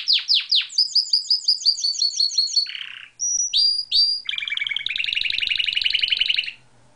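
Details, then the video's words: Canary singing freely out of its cage: descending sweeping notes, a fast chain of repeated chirps, a short buzz, clear whistled notes, then a long rattling rolling trill lasting over two seconds. "gaucho is singing outside of his cage as usual"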